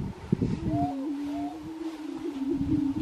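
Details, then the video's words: Grouse displaying at a lek in Colorado, 2023: a steady low hooting drone runs throughout, with two short rising whistled notes above it near the start and soft knocking sounds in the background. "Colorado Lekking Grouse"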